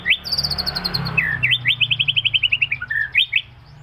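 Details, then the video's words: White-rumped shama in moult giving a high buzzy string of rapid repeated notes. A series of about a dozen quick upslurred chips follows, ending in two sharp whistled notes. Faint low hum underneath. "Suara Murai Mabung"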